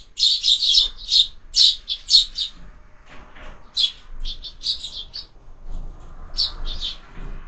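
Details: Sparrows visiting a feeder fixed to a window, where birds are fed all year: busy high chirping in quick doubled and tripled notes, a pause with rustles midway, then more chirps over faint noise.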